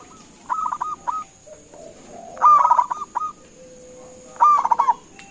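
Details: Local zebra dove calling for replies: three phrases of quick staccato coos, the middle and last louder and denser, spaced roughly two seconds apart over a thin constant whine.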